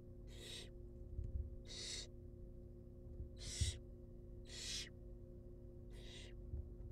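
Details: Wild barn owl chicks in a monitored nest box being fed; harsh, breathy hissing screeches, five bursts spaced roughly every one and a half seconds over a steady low hum.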